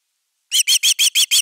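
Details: ['Nest-defending Osprey, camera #3, 31 August 2021: six rapid, piercing whistles in under a second.']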